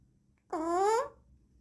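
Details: Pet Alexandrine parakeet indoors gives one drawn-out, nasal, slightly rising half-second note in a quiet room; the owner says it learned such sounds from some bird but does not know which sound it is copying.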